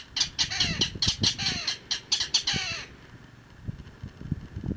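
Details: Mangrove rail recorded in Icapuí, Ceará, Brazil: a burst of loud, harsh clattering notes about twice a second for under three seconds, then quiet with faint low thumps.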